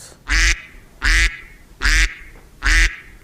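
A duck gives four loud, harsh, nasal quacks, evenly spaced about every 0.8 seconds, each short and buzzy, with little else heard.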